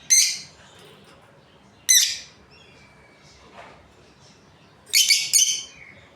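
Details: Breeding pair of Australian lovebirds: grating high chirps at irregular intervals, a faint thin whistle after the second, and a fuller double burst near the end.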